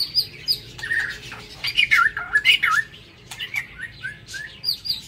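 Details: White-rumped shama singing in an aviary in the morning: high thin notes, then a dense run of twisting warbled whistles, ending in scattered softer phrases with clicks.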